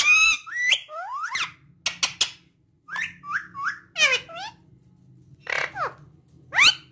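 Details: Talking parrot mixing harsh calls, sharp clicks and short rising and falling whistles, with a quiet spell midway and a low background hum under the later notes.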